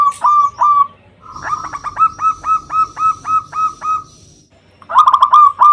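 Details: Zebra dove lure song to call rivals: two loud coos, then a long even series of about ten quick repeated notes, ending with a dense rolling burst of cooing.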